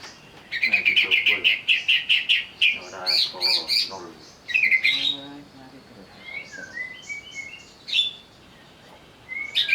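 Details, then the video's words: Agitated greater green leafbird, provoked to sing, gives a long series of harsh, rapidly repeated squawking notes, then harsh bursts and a few clear rising whistles. "pancingan burung cucak ijo agar bunyi sambil emosi"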